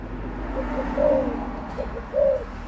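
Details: Two mellow coos from an adult spotted dove, each a brief soft pickup note leading into a longer, warm, slightly falling tone, against faint low hum.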